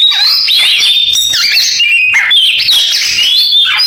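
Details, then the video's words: Oriental magpie-robin mimicking canary song, giving a fast, harsh, trilling warble with dipping slurred notes and whistled accents. "Suara Kacer kenari falk"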